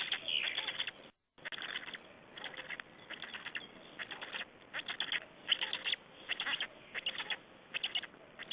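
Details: Feeding time for black storks in Estonia, 20 May 2012: grouped bursts of hoarse, rasping sound come roughly twice a second, interrupted once by a short gap.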